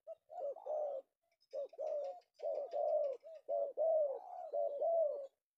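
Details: Repeated hoarse cooing from a male Indonesian tekukur (spotted dove) trapped in the afternoon, in steady linked phrases of short and drawn-out notes, with faint high chirping behind.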